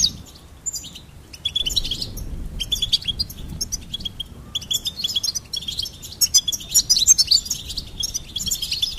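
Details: Goldfinch song: bursts of bright, very high twittering and clicky chirps, sparse at first, then denser, rapid jangling phrases in the second half over a quiet low hum.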